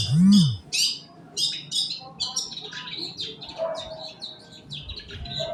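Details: Morning song of a long-tailed shrike, used to prompt other birds to sing: a loud low arched sound opens, then a series of harsh, rasping chirps and squeaky notes follow in uneven bursts over faint background hum.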